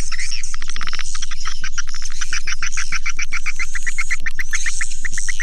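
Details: Chattering swiftlets: rapid, evenly spaced clicking chirps, about four a second, with brighter twittering notes on top and a continuous low background hum.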